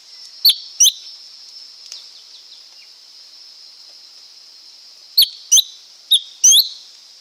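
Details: Lesser green leafbird song: a pair of crisp whistled notes, a long pause, then four more quick slurred whistles, all above a continuous high-pitched hiss.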